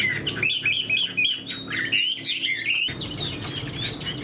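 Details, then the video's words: Chinese hwamei kept in a cage, a spread-tailed bird noted for its eagle-wing display and good fighting. It sings bright, rapidly rising and falling whistles in quick succession, breaking briefly before a softer, busier stretch. "Họa mi đuôi xòe vip, chơi cánh đại bàng, đấu tốt"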